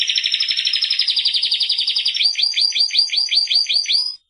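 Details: Timbrado canary song: a dense, rapid metallic trill held for two seconds, shifting into a series of quick down-slurred notes repeated steadily until an abrupt stop.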